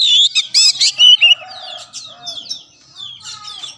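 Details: Caged oriental magpie-robin singing a burst of loud harsh, buzzy notes and whistles, followed by quieter varied slurred phrases.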